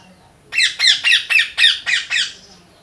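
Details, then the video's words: Parrot giving a loud, harsh series of seven rapid squawking chirps, evenly spaced about every quarter second, each a raspy burst; quiet background with faint low hum, likely indoors. "Loud Parrot Chirping Natural Parrot Sounds Parrot Calling Sounds"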